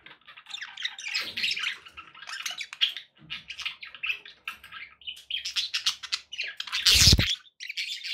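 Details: Pet budgerigars chattering and singing to keep a pet parrot company: dense, continuous buzzy warble with chirps and squawks, a loud harsh burst around the seventh second, then the chatter resumes.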